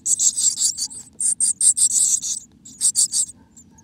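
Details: Black-capped chickadee inside its nest in America: bursts of very high, thin, hissy chittering notes packed in quick runs, pausing briefly before resuming, over a low steady hum.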